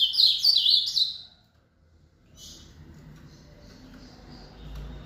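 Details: A single short burst of fluid descending whistles from an ultramarine grosbeak in rally song after an outing, then quiet with faint soft chirps and low background hum.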